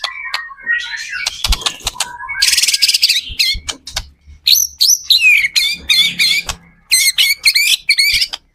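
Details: White-rumped shama in full active song, used as a lure so other shamas join in, mixing harsh rasping bursts and clicks with bright high chirped notes repeated in short groups.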